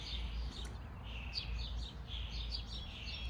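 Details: Birds chirping in a backyard: quick high, thin chirps and short twittering notes in loose clusters, over a constant low rumble of background noise.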